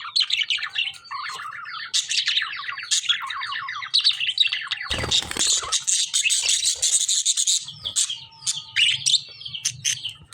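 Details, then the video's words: Lovebird chatter: runs of rapid, repeated, descending chirps, then a loud noisy thump, followed by a dense mass of high shrill chirping. "lovebird chirping sound"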